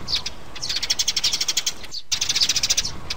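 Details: Lure sound for trapping sparrows, with a mother bird and chicks: quick strings of sharp, high chirps, broken once by a brief cut to silence, then another chattering run.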